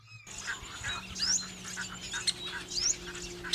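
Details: Asian pied starlings in dry open scrub at Bang Khaem fish ponds, Nakhon Pathom, near Bangkok, in June, chatter busily, with sharp, high, rising pip notes mimicking a woodpecker about every second and a half, over a low hum.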